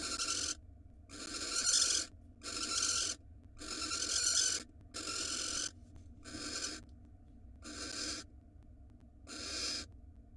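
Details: Barn owl female on an Israeli nest box camera receiving a rat from her mate, giving a series of about nine rasping, hissy screeches, each roughly half a second to a second long, repeated at irregular intervals over low background hum.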